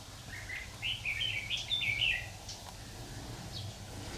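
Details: Red-whiskered bulbul singing as a trapping decoy, 26 October 2019: a rapid run of cheerful, warbling whistled notes climbing and dipping for about a second and a half, then quieter, over faint low hum.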